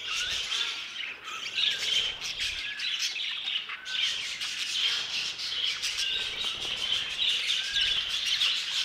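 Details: Budgerigars in an aviary, a lively flock chatter of high chirps, squeaks and warbling notes with short rising whistles, busy from start to finish.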